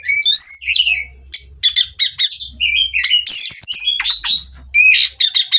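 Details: Oriental magpie-robin kept by a breeder, singing during perch-steadying therapy: bright whistled notes mixed with rapid rattling chips and rising slurs in a busy, continuous stream, faint low hum beneath.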